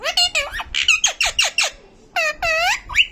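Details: A talking parrot kept as a pet produces quick, falling, speech-like syllables, then two longer, steady, nasal notes after a short gap.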